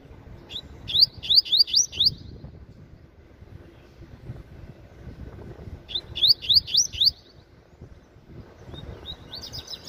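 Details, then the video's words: Young caged Double-collared Seedeater giving 'meio canto' half song: repeated phrases of five quick upslurred whistles, each phrase starting with a single note, a softer warbled fragment at the end. "Coleiro Papa-Capim Revelação Meio Canto Cantando Muito"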